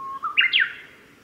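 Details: Male grey bunting singing at Yanagisawa Pass on 5 May 2017: a steady low whistle that steps up into two quick higher, slurred notes, the last falling, over quiet background.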